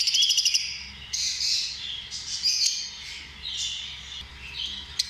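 Lovebirds chattering with rapid, high, shrill chirps and squeaky twitters, delivered in quick bursts with overlapping voices.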